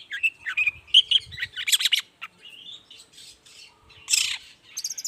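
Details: Morning song of a Long-tailed shrike, used to prompt quiet shrikes to sing back; varied whistles, squawky notes and rasping chatter in uneven phrases, with short pauses between bursts.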